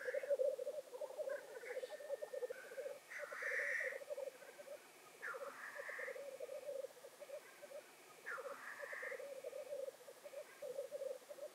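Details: Black grouse displaying at their lek near World's End, North Wales, in February: a low rolling, bubbling chorus underlies loud, rasping hisses that burst out at around three and a half, six and nine seconds.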